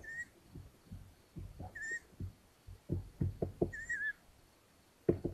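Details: Long-eared owls at a nest in Hungary on 13 May 2022, as the mother returns from hunting and delivers a mouse that the third chick takes: three short, squeaky, slightly wavering whistled notes about two seconds apart, over low thumps and rustling.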